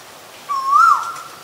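A single clear, whistled Asian koel note, drawn out and rising slightly before levelling off, heard against a quiet background.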